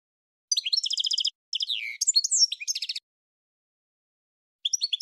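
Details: Goldfinch song made of bright, rapidly repeated chirping trills and twittering slurred notes in three close phrases, then a long silence before a brief final twitter; no background noise.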